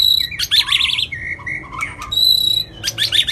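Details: White-rumped shama in long-voiced training song: loud high whistles and buzzy trilled bursts, a lower drawn-out whistle in the middle, and a final high trilled flourish.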